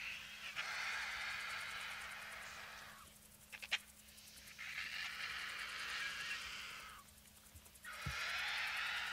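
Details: White-backed Vultures squabble at a rotting bull elephant carcass near a roadside in the African bush. Long hissing, screeching bouts alternate with short lulls, and a few sharp clicks and thumps come between the bouts.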